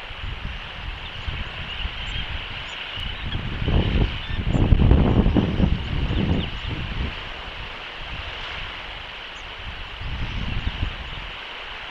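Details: Gusts of wind rumble over a steady high background hiss, with no clear animal call.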